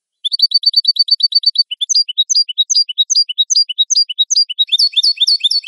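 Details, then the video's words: European goldfinch song on a clean training recording for captive birds: a rapid repeated high note run, then a slower sequence of sweeping twittered notes and renewed fast chatter. "Canto limpio de Jilguero"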